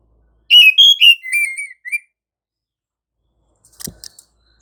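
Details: Oriental magpie-robin in gacor ngerol style, used as a lure for other magpie-robins: a rapid series of six clipped whistled notes over about a second, then silence and a soft rustling knock.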